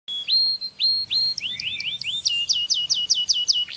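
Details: Canary song for training chicks: clear whistled notes that rise and then level off, followed by a run of rapid repeated rising notes. The trills speed up toward the end, close and loud against a quiet background.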